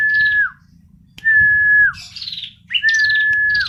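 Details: Female bar-winged prinia: three long, even whistled notes ending in a downward slur, each paired with a harsh buzzy trill, separated by short pauses and a faint low rumble.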